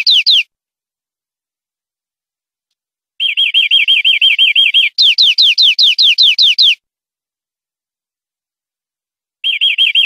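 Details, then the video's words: Tutor song of a European greenfinch, clean and meant for teaching caged birds: a brief note, a pause, then a steady rolling trill followed by a series of louder swooping notes, another pause and a final short trill. "Nuevo CD limpio para educar verderones"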